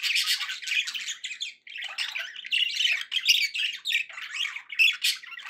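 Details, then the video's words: Pet budgies sounding happy in a small room, a continuous stream of chirpy, scratchy warbles and squeaks with a short break near the middle. "happy budgie sounds"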